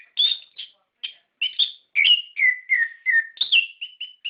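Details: Orange-headed thrush singing, used to prompt captive birds: clear whistled notes, several sliding downward in a descending sequence, interspersed with short sharp chips, about three notes a second.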